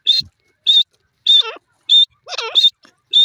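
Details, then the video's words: Shrill, high whistled notes from a grey francolin (bhora teetar) repeat about every half second. Two of the calls carry extra squeaky, downward-sliding trills beneath them, and a brief low thump sounds at the start. "bhora teeter ke voice,pardrige teeter bird sound"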